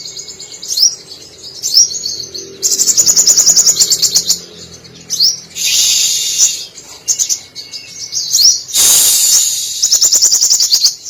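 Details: Brown-throated sunbird, a caged singing bird in full voice with mimicked canary, cililin, sparrow and lovebird phrases; loud high twittering, rapid trills and buzzy chattering bursts, with sweeping whistled notes between them.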